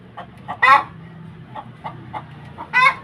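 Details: Hen cackling after laying an egg: soft short clucks repeated at intervals, broken by two loud harsh squawks, with a low background hum.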